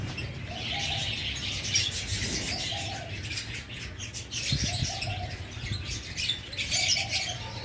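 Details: Wild dove (fakhta) calling near a lovebird aviary at the start of summer, doves calling more in hot weather; soft low coos in short repeated phrases about every two seconds, with chirping aviary birds behind.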